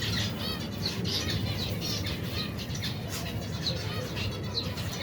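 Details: Colony of over 120 finch pairs with babies at feeding, cold weather; lively run of ringing, harmonic chirps in quick succession across the clip, with a low droning background.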